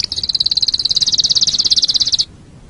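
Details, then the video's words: Canary song used as tutor material for other cage birds: a single sustained high rolling trill of quickly repeated pulses lasting about two seconds, stopping abruptly into silence. "Masteran Suara Kenari"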